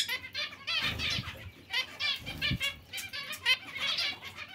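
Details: Zebra finches in a colony shared with other finches, giving nasal, trumpet-like beeps in quick overlapping bursts, roughly every second, over muffled wingbeats and bustle.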